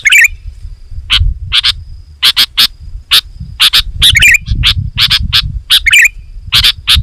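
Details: Sooty-headed bulbul lure song, loud and rapid: short sharp chirps and a few gurgling phrases spaced irregularly over constant low rumbling background noise.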